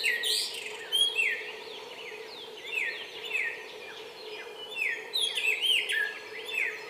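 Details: Bar-winged prinia singing in the wild: rapid repeated downslurred whistled notes in quick runs, with higher thin notes above, over a steady hum of background noise.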